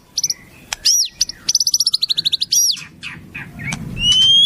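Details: Murai (white-rumped shama) song loaded with imitated wild-bird phrases: sharp high notes, then a brisk sequence of about a dozen clipped notes slowly falling in pitch, rougher scratchy calls, and a final pure rising whistle over faint rumble.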